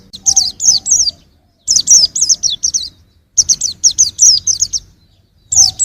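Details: High, sweet, down-slurred chirps from a young white-eye, grouped in bursts of four to six notes with short gaps between them.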